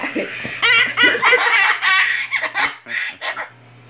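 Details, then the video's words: An umbrella cockatoo, male, having fun and laughing, gives bursts of hearty, human-like laughter, rapid hoarse 'ha-ha' pulses in quick runs, with a low electrical hum and brief speech nearby. "Umbrella Cockatoo having fun, He love`s to laugh a lot"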